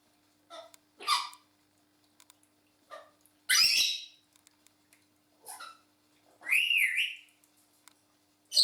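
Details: Two pet African grey parrots kept in a house, loud clear whistles and harsh squawks in separate bursts, one rising-and-falling whistle near the end, short clicks between calls.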